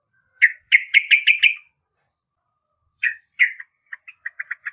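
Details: Yellow-vented bulbul giving a short burst of fast, bubbly chirps, then a pause, two brief notes, and a string of quick, clipped calls.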